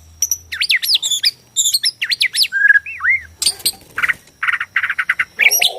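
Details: Singing white-rumped shama from Borneo, used to goad shamas into song and fighting: looping, swooping whistles, a few mellow notes, then harsh buzzy bursts.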